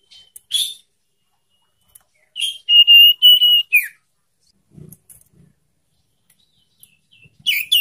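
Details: Young sirtu, a caged songbird, whose song serves as a lure to get other birds singing: short high chirps, then a run of steady clear whistled notes on one pitch, ending in a falling slur.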